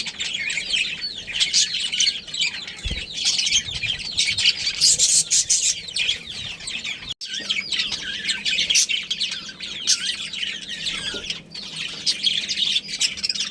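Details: Colony of budgerigars, including a breeding pair and young, in continuous high warbling chatter with frequent sharp clicks and wing flutters, briefly cut off midway, low hum underneath.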